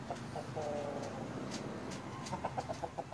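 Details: Black and blue mottled Brahma rooster and young hens: quick, rhythmic clucks at the start, then a faster run of short clucks near the end, about four per second, over a constant low background hum.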